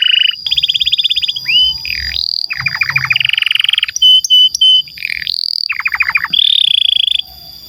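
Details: Canary singing a long, unbroken rolling song used as a model to prompt silent canaries: rapid trills, buzzy rolls and clear whistled notes, with phrases changing every second or so and no pauses.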